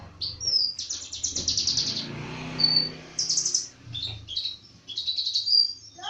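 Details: Songbird singing energetically: rapid chattering trills and high, sharp whistled notes in varied phrases, with a faint low hum underneath.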